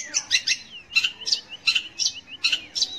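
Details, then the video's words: Long-tailed shrike song meant to coax young or reluctant shrikes to sing, heard as short clusters of scratchy high chirps separated by brief pauses, with thin whistled slurs between bursts. "kicau BURUNG CENDET / PENTET untuk PANCINGAN"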